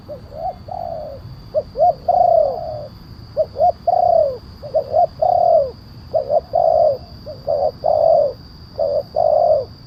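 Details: Spotted dove in the kuk 1 style with a large voice, played to lure wild doves and to tutor caged ones. Short hoots and longer sliding coos repeat steadily and loudly throughout, with low background rumble.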